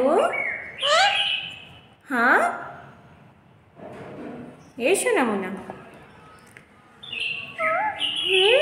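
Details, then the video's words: Pet parrot talking with its owner: a run of squeaky, tonal speech-like syllables with sharp swooping pitch, grouped in bursts with short pauses between them, and a person's voice nearby. "प्यारे मिट्ठू की कुछ प्यारी प्यारी बातें"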